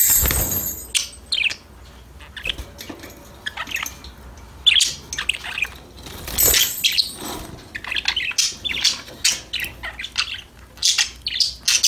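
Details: Parakeets chirping while playing, scattered bright tweets and short squeaky bursts with quieter gaps between them, sometimes overlapping rustling noise.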